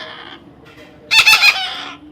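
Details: Baby parrot under taming utters a short, harsh, pulsed screech following softer faint calls, with light room noise behind.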